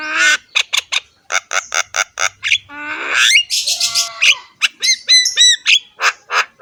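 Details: Javan myna in a training recording, a loud rough-voiced song of harsh squawks and broadband rasps mixed with whistled upslurred notes and nasal tones, delivered in fast irregular bursts.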